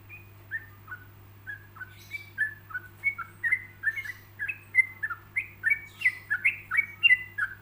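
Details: Song of a yellow-vented bulbul, recorded with pauses as a model for other bulbuls to copy. It has cheerful, gurgling whistled phrases that rise and fall, slowly building in loudness and density. A constant low hum runs in the background.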